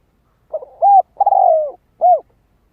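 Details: Close spotted dove phrase for rousing a decoy bird: a soft stutter, an arched coo, a long falling hollow note and a final arched coo, against near silence.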